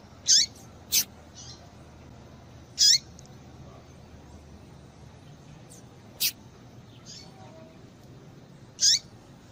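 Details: A female double-collared seedeater gives calls meant to excite males into singing. There are about six short, high, sharp notes at irregular gaps, some bright chirps with a falling tail and others thin clicks, over faint background hiss.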